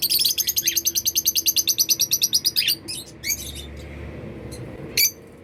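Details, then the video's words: African lovebirds flying freely and making happy sounds: a fast run of sharp, high chirps, about six per second for nearly three seconds, followed by a few scattered squeaks over a low background hum. "Happy lovebirds making sounds"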